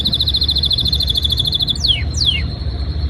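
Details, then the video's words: Canary in breeding season singing to impress a female: a fast pulsing trill held about two seconds, broken by two sharp descending whistled sweeps, with low hum underneath. "Most powerful Canary singing | breeding season | trying to impress female Canary"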